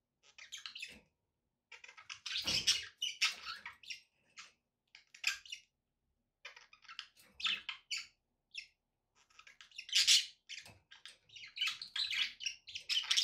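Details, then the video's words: Pet budgies indoors give high, scratchy chirps and chatter in scattered bursts, mixed with clicks and knocks from the cage. "budgie sounds with background noise for relaxation"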